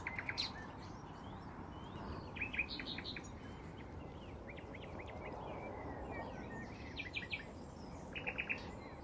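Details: Nightingales at Braziers Meadow, Orwell Country Park, deliver several separate phrases: bursts of loud repeated notes, short chirps and brief trills spaced across the recording, with quieter gaps and a constant low background rumble.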